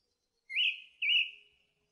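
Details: Song thrush song: two clear whistled phrases in quick succession, each sharply rising then easing down into a long, fading tone.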